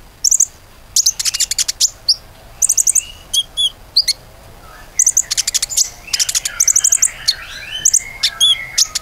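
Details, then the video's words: Common iora singing energetically in a recording meant to set other birds singing: dense bursts of high, rapid chattering notes broken by brief pauses, with thin rising whistles woven between the bursts. "PANCINGAN KONIN GACOR AMPUH‼beneran bisa gacor"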